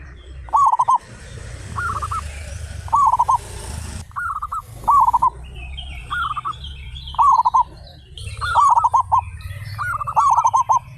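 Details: Thirty-five local zebra doves singing actively with loud voices: short rolling, trilled coo phrases repeated about every second, often overlapping, over a steady low hum and faint high chirping from small birds.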